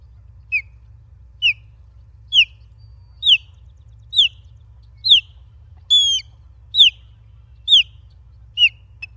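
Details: At a Charlo, Montana nest on 28 August 2023, a live camera records an osprey giving a run of about ten high, sharp, downslurred whistled chirps, nearly one per second, one note harsher and louder midway, over a faint low hum.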